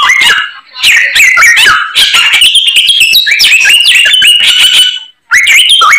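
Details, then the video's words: White-rumped shama pouring out song full of copied phrases, with busy chattering runs, repeated sliding whistles and sharp chips, pausing briefly twice. "BURUNG SAMYONG GACORR FULL ISIAN"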